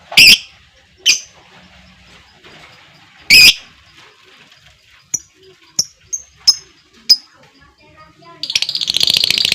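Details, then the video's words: Lovebird fighter voice: a few loud, harsh chirps and short high ticks, then a fast buzzy trill starting near the end. "LOVEBIRD NGEKEK PANJANG DAN GACOR,Dengan Suara Fighter Ngetik,Ngekek Panjang"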